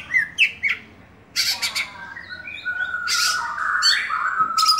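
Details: Caged kacer dewa air singing loudly: scratchy chattering notes and explosive noisy bursts mixed with long fluty whistled phrases that slide downward, against a background hum.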